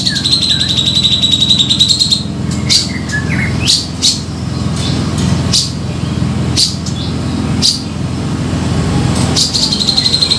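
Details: Lure call of a grey-cheeked bulbul (cucak jenggot), used to attract birds for trapping: sustained high whistled tones, then scattered sharp chirps and clicks at irregular intervals, with a constant low rumbling hum throughout.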